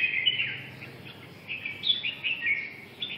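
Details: Red-whiskered bulbul (chào mào) giving a run of bright, liquid, warbled phrases, each about a quarter-second long, repeated several times with short gaps over steady low background hiss.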